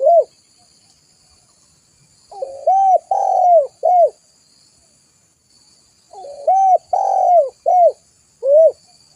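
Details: Spotted dove repeating its cooing phrase twice: a short lead-in, a few hollow rounded coos and a longer central note, each phrase about two seconds, with quiet pauses.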